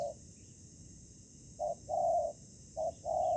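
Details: Spotted dove used as a ground-trapping decoy, meeting fierce wild doves during the trapping season. A short low coo sounds, then a pause, then paired notes: a brief hoot followed by a longer drawn-out coo, repeated twice.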